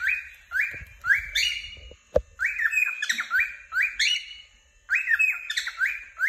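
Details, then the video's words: Happy cockatiel chirping: rising, slightly rasping whistled notes come in rhythmic runs, about two per second, broken by a brief click-like knock midway and a short gap near the end. "a happy cocketeil chirping"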